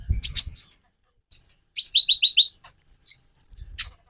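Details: White-rumped shama song, used to stir other birds into song: a run of four quick identical whistled notes, then sustained very high piping whistles, with a few sharp chirps and low rustles.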